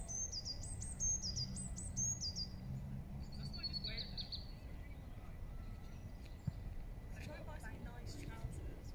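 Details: Eurasian blue tits feeding in Regent's Park, London: very high, thin whistled notes in quick stepped phrases, repeated three times, then a softer buzzy run of short notes, with a low background rumble and faint noises near the end.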